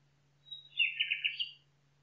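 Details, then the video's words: Nightingale in the forest: a clear whistled lead-in note, then a rapid series of five full, throaty notes in quick succession, fading at the end. A low steady hum is heard throughout. "Пение Соловья в лесу Singing Nightingale in the forest"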